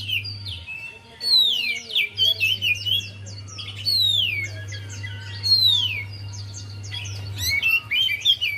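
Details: Javan white-eye song as a lure to make a reluctant bird sing: energetic bursts of falling whistles and rapid chirps, phrases separated by brief gaps, over a faint low hum.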